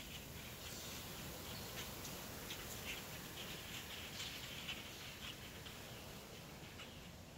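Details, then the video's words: A flock of common starlings keeps up a dense, scratchy chatter of clicks and short whistles, several per second, over a steady hiss of background noise. "A flock of common Starlings."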